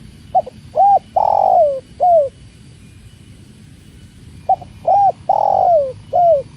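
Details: Tekukur (spotted dove) by water, cooing in two matching phrases a few seconds apart, each a short note, a rounded coo, a long descending coo and a last falling coo.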